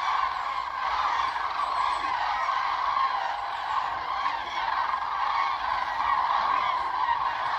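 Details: Large flock of common cranes far off on coastal lagoon meadows near Ribnitz, Baltic Sea, Germany; steady massed chorus of overlapping honking, trumpeting calls with no gaps, a wall of distant voices.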